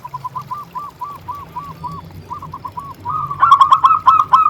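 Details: Lively local zebra dove song: a soft series of evenly spaced arched coos, a short pause, then a louder, faster stuttering run of bright coo notes building toward the end.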